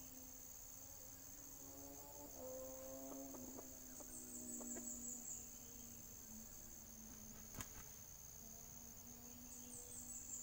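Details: A red junglefowl, recorded while being lured for trapping, gives one low, faint, hoarse crow of a few broken syllables. A steady high insect drone runs throughout, and there is one sharp click.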